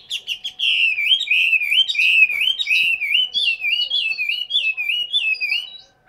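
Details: Cage-kept Chinese hwamei from Hanoi, Vietnam, delivering a long rolling whistled song, a fluid chain of looping, wavering notes repeated several times a second before fading out.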